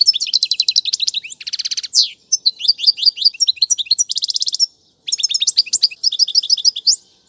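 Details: Goldfinch song used to tutor young birds: fast tinkling chirps mixed with rolling buzzy trills, repeated in bursts and broken by short silences.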